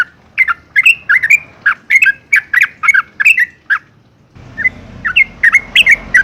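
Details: Yellow-vented bulbul (Pycnonotus goiavier) pours out quick, bubbly, liquid notes in a rapid chattering run; after a brief pause the song resumes over a hissier background. Presented as a female calling a male, used to stimulate caged bulbuls.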